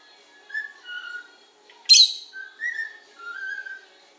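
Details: Pet bird keeps whistling while its companions try to sleep: soft sliding whistled notes, one sudden loud chirp in the middle, then more gliding whistles.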